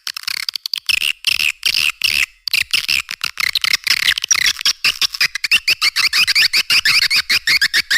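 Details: Swiftlet lure recording to attract edible-nest swiftlets to caves and nesting houses: continuous dense twittering with wavering high trills, then a rapid series of clicking pulses.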